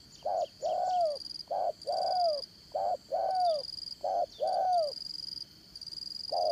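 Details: Caged spotted dove of the 'Đồng Son' voice, kept as a trapping decoy. Four rhythmic pairs of hollow coos are heard, each a clipped note followed by a drawn-out falling coo, over a continuous high-pitched hum.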